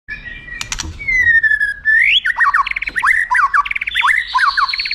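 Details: White-rumped shama song used as a tutor for contest birds, featuring long highlight phrases: a sustained whistle sliding downward, then a rising note and rapid bursts of short, chopped, upward-flicking notes.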